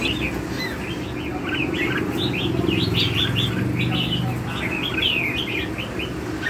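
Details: Red-whiskered bulbul in lân hầu bò song style: dense runs of sharp whistled chirps and slurred notes, rising and falling quickly, with a low rumbling hum and faint voices behind.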